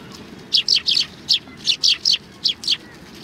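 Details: Sparrows gather for food at a Tenmangu shrine, 25 November 2020. About ten short, sharp, high chirps come in uneven pairs and triplets over three seconds against a quiet background.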